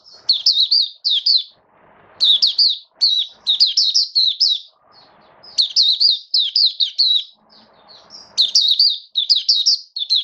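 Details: A caged Oriental white-eye sings in wet, rainy weather on 8 Oct 2022: rapid, high, twittering phrases of sweet chirps and trills, delivered in bursts separated by brief pauses, with faint background rustling.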